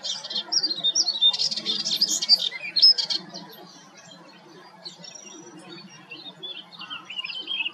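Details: Melodious warbler singing at Hegenheim, France, in June 2023: a fast, scratchy jumble of chattering and twittering notes for about three seconds, then quieter thin whistled phrases and trills.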